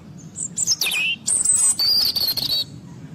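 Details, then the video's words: European robin giving thin, very high whistled notes that slide down, followed by long, sustained high tones and a steadier mid-high whistle, over a low background rumble. "Canto Robin"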